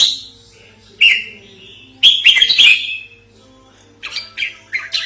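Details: Red-whiskered bulbul lure call for trapping and training birds: an isolated sharp chirp, a dense excited chattering phrase about a second long, then a string of short quick chirps; faint steady hum underneath.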